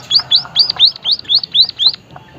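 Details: White-headed munia, locally emprit haji, calling in a steady run of eight sharp, high, rising then falling whistled notes, about four per second, on a quiet background.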